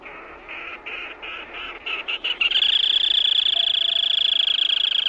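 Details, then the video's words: Black-tailed crake giving a run of short buzzy notes that quicken and run together into a sustained, loud, fast trill lasting several seconds, strongly rhythmic, with little else audible. "សំលេងដុំដោ Black Tailed Crake"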